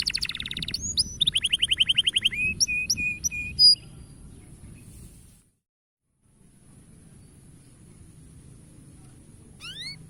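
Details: Canary song meant to encourage young canaries to sing: a burst of buzzy trills and short whistled notes over faint background hiss, then quiet, with two rising notes at the very end.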